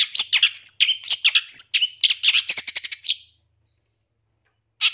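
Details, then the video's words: Varied, rapid chattering song of a long-tailed shrike, played as a lure to provoke singing: scratchy notes mixed with brief whistles and a fast trilled burst, stopping after about three seconds, then a single harsh note. "Pancingan Suara Pentet Bahan Agar Cepat Bunyi & Emosi ~ CENDET"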